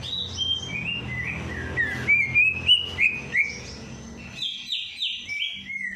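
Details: A bird singing, meant to stir a lazy bird into song after its night bath. Bright chirps and whistled notes, some rising, others falling, repeat rapidly in quick bursts. A faint low hum runs underneath.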